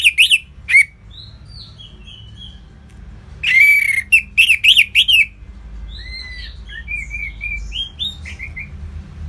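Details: Orange-headed thrush, a kept bird in Singaraja, Bali, in ngeplong style: opening sharp whistles, then a loud run of rapid rising whistled notes, trailing into softer slurred phrases and fainter whistles.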